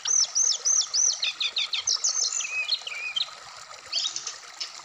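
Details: Black-throated laughingthrush song played for conditioning a caged bird, Indonesia: rapid run of bright, high whistled notes repeated about three per second, then lower slurred phrases and a short burst of sharp high notes.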